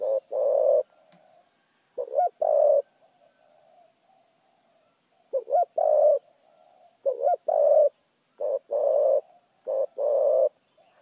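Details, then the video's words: Spotted dove cooing at speed with a correct voice: low hollow phrases of a rolled note followed by a long coo, with a pause near the middle and then a quicker run of short coos. "chim cu gáy thúc gù tốc độ giọng gáy cực chuẩn"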